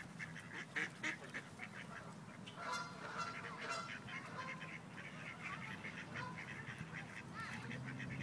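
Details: Several rejected male ducks attempting to forcibly mate a female in Wilmington, NC: scattered harsh quacks and honk-like calls, a brief squealing flurry mid-way, then quieter calling.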